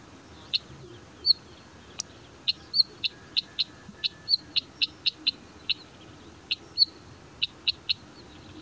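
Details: A Northern Wheatear on high-mountain broom scrub, sharing the area with a large male Iberian ibex, gives a steady series of short, high, clicking and whistled notes, roughly two or three a second, against a quiet background.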